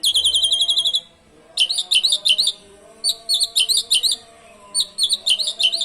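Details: Asian pied starling with canary imitation song, used to lure other birds into singing: high buzzy trills, then repeated short bursts of three to four fluttering, high notes separated by brief pauses.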